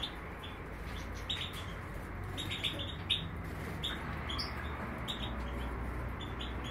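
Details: In Greece, a major goldfinch delivers scattered thin twittering notes in short runs, fairly soft, above a noticeable low rumbling hum.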